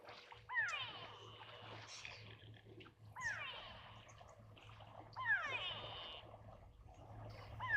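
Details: At an African waterhole, a grey go-away-bird objecting to a herd of buffalo gives loud, nasal, drawn-out calls, rising then falling, about every two to three seconds. A low steady hum runs underneath.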